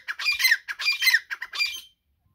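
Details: Grey francolin calling with three loud, rasping squawk bursts in quick succession, harsh and scratchy, then falling silent.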